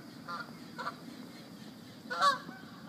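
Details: Chattahoochee geese calling: two short honks close together early on, then a louder, harsher honk near the end, above constant low background rumble.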